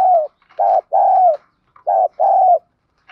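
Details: Spotted dove song in the field-voice style, used to provoke fighting: loud hollow coos in short-long pairs, the long notes steady and gently falling, separated by clear pauses.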